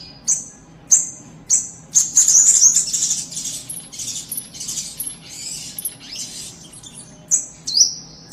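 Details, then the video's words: Breeding-stock white-eye starts with a few piercing high chips, then bursts into a fast, jumbled twittering run for several seconds before ending on more separate thin whistles. "indukan burung kapas tembak"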